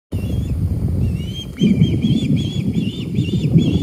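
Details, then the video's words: Juvenile osprey calling to a parent perched on a branch during feeding in a pine tree on Hilton Head Island, South Carolina: thin high whistled notes in a rapid repeated series over strong low wind rumble. "Juvenile Osprey Calls to Parent on Branch During Feeding in Pine Tree!"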